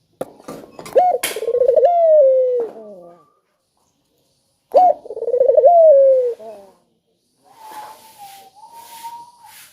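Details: Lure recording of a spotted dove for prompting quiet doves to call: two phrases of a crisp note, a trembling run of pulses and a drawn-out descending coo. Clicks sound at the start, and a higher, wavering whistled tone follows at the end.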